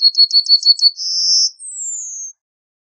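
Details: Yellowhammer song: about six evenly spaced high chirping notes, then a held buzzy note, then a thin whistle that slides gently downward. No other sounds.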